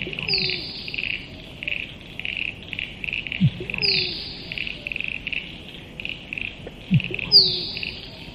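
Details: Three musk duck calls about three and a half seconds apart, each a high, falling whistle paired with a deep, hollow plonk, backed by a persistent pulsing insect chorus.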